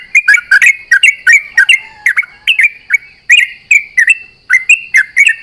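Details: Sooty-headed bulbul, locally called trucuk, singing rapidly at dawn while set out in the morning dew, answering companions: dense bursts of chirpy, slurred notes that rise and fall, repeated without pause, with no other clear sounds.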